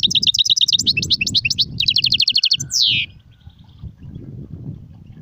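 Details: European goldfinch song in the serfati, gzrati and tserseer styles: rapid high twittering trills in dense bursts, then a loud buzzy downward slur near the end before it falls quiet, over a steady low rumble.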